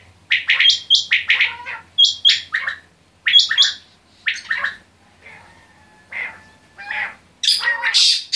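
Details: Quail giving harsh, rasping multi-note phrases with brief thin whistled tones between them, phrases separated by pauses of about a second, ending in a louder, higher scratchy burst.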